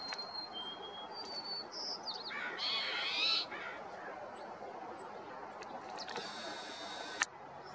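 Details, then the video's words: Golden-crowned Sparrow at Harbor View Park, Portland, Oregon, 3 October 2018, giving thin, high whistled notes and a brief twittering burst over a steady background hiss. "Golden-crowned Sparrow"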